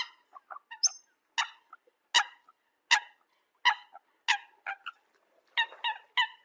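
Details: Eurasian coot calls used as a decoy sound: short, nasal, harmonic notes given singly or in quick pairs, loud bursts spaced about every half second to second with softer notes between.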